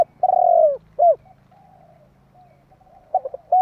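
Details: Spotted dove calling to provoke rival doves: a long falling coo and short coo, a quiet stretch, then quick stuttered coos beginning a new phrase; low hum beneath.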